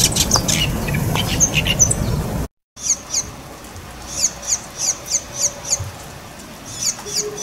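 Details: Bull-headed shrike, part of a collection gathered over different years from various birds; a quick run of thin, high, slurred chips repeated several times a second, with a brief cut and low background rumble.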